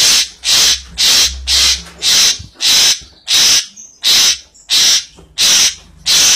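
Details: Asian pied starling uttering a long series of loud, harsh, hissing notes, about one and a half per second, steady and evenly spaced.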